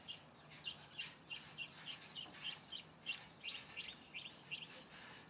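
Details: Calandria, or mockingbird, in song: a steady series of short, high, bright chirped notes repeated about three times a second, with slight variation between notes and a faint low hum beneath.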